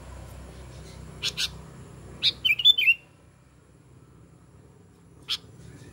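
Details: Sooty-headed bulbul calling out to other bulbuls: two quick sharp chirps, then a rich bubbling, warbled phrase of several liquid notes, silence, and one last sharp chirp, with steady low background rumble.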